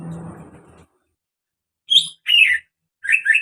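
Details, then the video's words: Greater green leafbird giving what is described as a strange call: after a low murmur and a pause, three short, sharp, scratchy chirps come in quick succession, high and slightly rising. "SUARA ANEH BURUNG CUCAK HIJAU"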